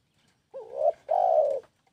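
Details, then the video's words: {'text': 'One full spotted dove coo: a wavering, rising opening note, a short break, then a sustained, slightly buzzy low coo, clean and close.'} "SUARA BURUNG TEKUKUR"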